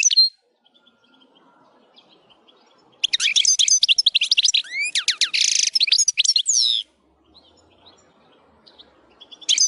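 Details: Wild European goldfinch in full song: nearly four seconds of fast, varied twittering with repeated sweeping slurred whistles and a harsh buzzy stretch, framed by quiet gaps and short bursts at either end.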